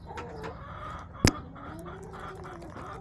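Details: Backyard chickens on March 30, 2024: soft, drawn-out, murmuring clucks and a low sliding note, broken by one sharp loud knock midway and another at the end.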